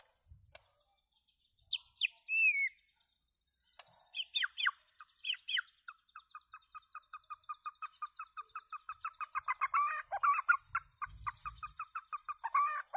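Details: White-rumped shama singing loudly: a few sharp clear notes and a curving whistle, then a long run of rapid, evenly repeated rich notes that grow louder toward the end, over a faint steady high ringing hum.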